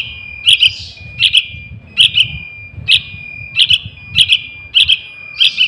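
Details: Young Yellow-vented Bulbul used as a lure for wild birds, uttering clipped double chirps, sharp and clicky, repeated in quick irregular pairs over a low rumbling background.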